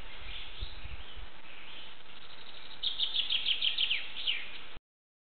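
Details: A flycatcher in the Palace Park, Białowieża, singing from a nestbox, gives a quick run of about eight thin, high chirps over a second and a half, over a low background rumble.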